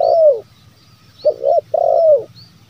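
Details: Zebra dove lure call meant to prompt wild or reluctant doves to call: rolling trilled coos, a long burring note, a pair of clipped notes, then another long trill, with faint high chirps behind.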